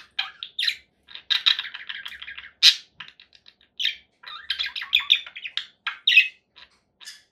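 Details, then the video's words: Conure parakeet chattering in bursts of short, harsh, buzzy notes and bright chirps, with brief pauses between clusters and a sharper squawk near the middle. "conure parakeet sounds"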